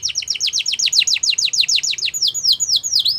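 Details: Canary chirping to set other canaries singing: a fast, loud roll of descending whistled notes, around six per second, slowing into longer swooping whistles near the end.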